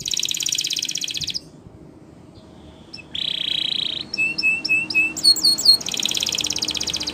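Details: Gloster canary song for training: dense high buzzy trill, a pause, a lower rolling trill, then clear whistled notes and downslurred syllables before another fast trill.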